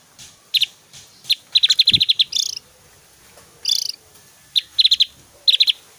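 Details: Javan grey-throated white-eye giving loud, varied 'tembakan' song for tutoring other birds: clipped high notes in quick runs, interrupted twice by short, harsher buzzy phrases, with a low knock near the middle.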